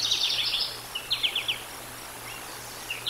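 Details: Bald eagle at the Decorah North nest on a nature live cam, 07/13/2022: rapid high chittering notes in quick runs, a second short series of descending chips, then a few isolated faint chirps against hiss.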